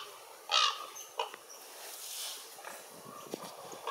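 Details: Raven calling: a single loud harsh croak, then a shorter second one and faint scattered notes against steady background hiss.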